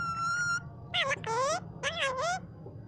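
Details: Green pet parrot in Pakistan, trained by the owner's mother, saying "mian mithu Allah ho": one sustained whistled note, then four voice-like syllables in two pairs with wavering gliding pitch, over a low hum.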